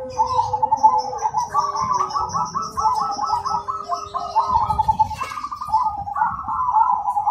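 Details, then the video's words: Cemani-type zebra doves in loud, clear song: dense, continuous rippling coo trills overlapping, with a thin high whistled line from another bird and a low steady tone in the background. "Perkutut Cemani Gacor Suara Berirama Besar Lantang dan Jernih"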